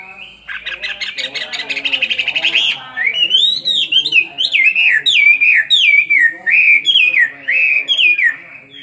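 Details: Two-year-old caged Chinese hwamei in fighting song. A rapid buzzy rattle gives way to a long series of loud whistles, each rising then dropping, repeated about every half second.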